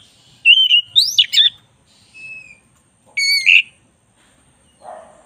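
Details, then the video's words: White-rumped shama, black-breasted type, singing energetically for master training: clear whistled notes sweeping up into sharp, complex chattered phrases, then a thin slurred whistle, a short harsh burst and a soft buzzy note. "10 menit masteran kacer dada hitam GACOR"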